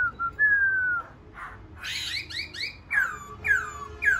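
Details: Newly wild-caught laughingthrush giving a falling whistle, then noisy harsh rasps and a series of loud down-slurred whistles repeated about every half second.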